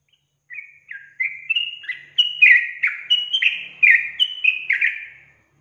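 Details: Sooty-headed bulbul lure song used to provoke other bulbuls into response. About five seconds of evenly spaced, fluty whistled notes, each slurring downward, growing louder midway and continuing in a bubbling, cheerful rhythm.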